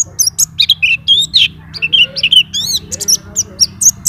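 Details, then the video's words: White-eye, described as a champion master bird singing nonstop (ngacor) and showing its song fill (isian). A rapid run of high, sharp chirps and short downslurred whistles comes in quick bursts over a steady low hum. "PLECI NGACOR ‼️BONGKAR ISIAN"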